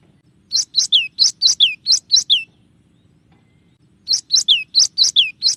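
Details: Cinereous tit known locally as gelatik batu, tembakan-style song: two fast series of around eight sharp high notes, mixing slurred downward notes, with a silent gap of over a second between series.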